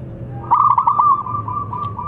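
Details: Zebra dove, a local perkutut with a big voice, utters one song phrase: a burst of rapid bubbling coos that settles into a level, drawn-out tail with softer spaced notes.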